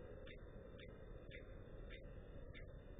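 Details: Common kestrel (Falco tinnunculus) on 28 March 2014, around 09:38, as the male and female fight pigeons for their nest, gives five sharp, harsh notes about every half second over a low traffic-like rumble.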